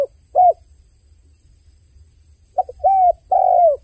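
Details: Dove cries with a single short coo, a long pause of near silence, then a phrase of a brief note and two sustained hollow coos that fade downward at the end.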